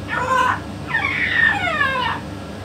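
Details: A short word followed by a longer, drawn-out, wavering utterance rich in harmonics, spoken by a yellow-naped amazon parrot alongside a parrot expert; low hum underneath.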